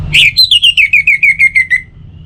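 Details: Orange-headed thrush singing, offered as a morning and evening prompt for other songbirds: a rising opening note, then about ten bright whistled notes that step gradually lower in a fast, even run, ending in quiet hum.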